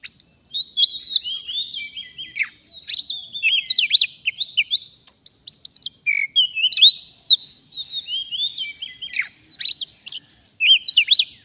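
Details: Oriental magpie-robin from the wild, singing during a bird-trapping outing. Continuous, energetic song of bright whistled phrases, quick trills and sharp slurred notes, delivered in dense bursts with brief pauses.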